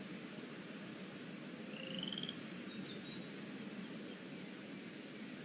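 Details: Afternoon at the Decorah North eagle nest, 13 April 2017, with eaglets whose pinfeathers are beginning to show: one brief, high, rising pulsed call midway, a few faint thin chirps after it, and a steady low background rumble.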